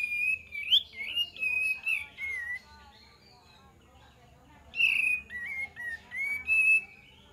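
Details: Olive-winged bulbul song meant to lure other birds: a rich run of liquid, wavering whistles, a silent gap of about two seconds, then another warbled phrase of several slurred notes.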